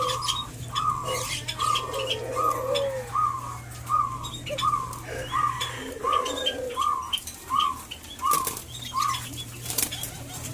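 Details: White-eared brown dove (alimukon) being tamed: a steady series of short clipped notes, about one every half second, over lower drawn-out coos, with a constant low hum and scattered clicks throughout.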